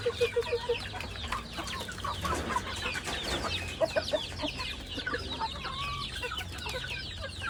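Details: Chickens at feeding time: constant chatter of many clucks and short squeaky notes, with a quick run of four even clucks at the start and a low background drone.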